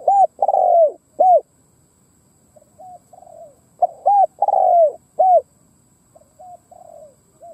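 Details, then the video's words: Ground decoy Spotted dove cooing to entice wild doves. Bursts of loud arched coos and a drawn-out falling note repeat roughly every four seconds, each followed by softer, lower, flat coos. "Tiếng cu mồi đất gù gáy kích bổi"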